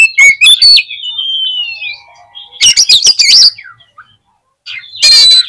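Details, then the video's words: Song of an Oriental magpie-robin used to provoke rivals: a few sharp whistles, a long thin descending whistle, then a dense rattling burst of harsh notes and a final scratchy blast. "CUKUP DI PLAY 3 MENIT BIKIN KACER LANGSUNG EMOSI TINGGI !!! PASTI CEPAT ON"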